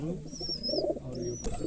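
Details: Girebaz pigeon from an old 40-year line, giving low, throaty cooing in short pulsing bursts, with thin high whistled tones drifting above and a brief clatter near the end.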